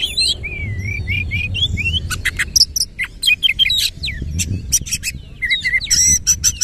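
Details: White-rumped shama singing a varied medley: a run of smooth rising whistles, then dense clicks and sharp metallic notes, ending with repeated short warbled phrases over a faint low hum.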